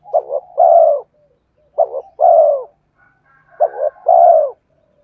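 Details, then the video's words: Luring song of a spotted dove, three phrases of a quick double coo followed by a longer downward-sliding note, roughly every two seconds, with a faint steady whistle in the background. "Tiếng chim cu gáy kích bổi nhanh nổi hiệu quả"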